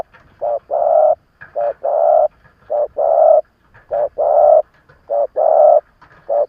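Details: Experienced decoy spotted dove calling to stir up wild rivals: steady, deep, hollow coos in pairs, a clipped note followed by a drawn-out one, repeated about every 1.2 seconds.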